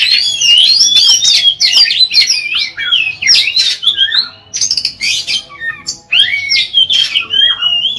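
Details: Oriental magpie-robin (kacer) singing a long, loud, clear gacor song meant to provoke other magpie-robins into singing: rich varied whistled phrases with sweeping slurs and harsh notes, delivered in bursts with brief pauses.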